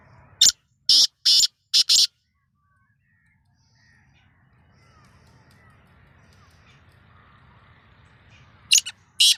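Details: Sindhi-strain black francolin calling in the season's first try: four loud, rasping, broadband notes within two seconds, a long quiet stretch with low background rumble, then two more harsh notes close together at the end.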